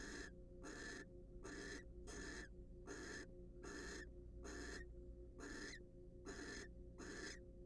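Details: Pair of wild barn owls in a research-monitored nest box, preening and courting, producing repeated breathy screeching hisses at a quick, even pace with a background mains-like hum.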